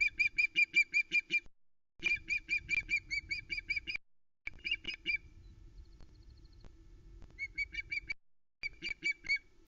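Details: Female osprey on the Loch Arkaig nest, Scotland, on the morning of 2 July 2020, fish-calling indignantly after the male leaves with a trout: runs of eight to ten shrill, piping chirps in bursts about 1.5 seconds long, over faint wind.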